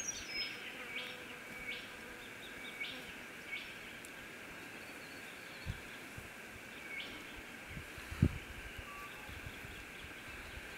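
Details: Female Rufous Whistler with young in Canberra, Australia, on 14 December 2016: short, sharp upswept chirps repeated about every second over a steady high background hum, with a single dull thump near the end.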